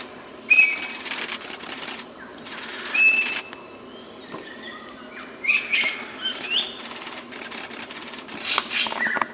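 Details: A common green magpie, a resident bird of Bangladesh, gives short, sharp whistled notes in scattered bursts every few seconds over a constant high insect drone.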